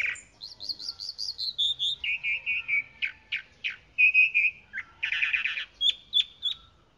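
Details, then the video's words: Chalk-browed mockingbird song: a fast trill of rising notes sliding downward, then a run of repeated level whistles, scratchy bursts and a final buzzy chatter with sharp chips. "Calandria Grande Canto - Calandria Grande - Chalk-browed Mockingbird Bird Song - Mimus Saturninus"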